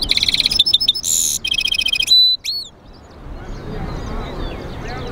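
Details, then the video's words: Goldfinch-canary mule (a European goldfinch x canary hybrid) singing a fast, bright burst of twittering trills and rolls, including a buzzy rattle and upslurred whistles, then falling quiet under a soft background hiss. "GOLDFINCH Mule singing"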